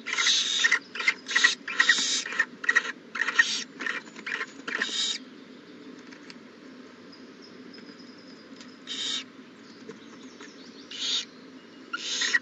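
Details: Owl at a nest on April 20, 2019, hatching day of a newly arrived owlet; a quick run of rasping, breathy hisses in the first five seconds, then quiet, then scattered single hisses near the end.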